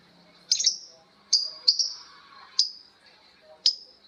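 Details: Lovebirds calling back and forth in ngekek style: piercing high squeaks, some doubled, spaced about a second apart, with faint lower chatter between.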